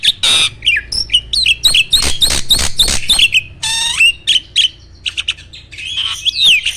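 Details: Champion contest starling kept on a farm belts out loud, rapid chattering notes, a long swooping whistle, and scattered sharp calls, with a low thumping sound in the background.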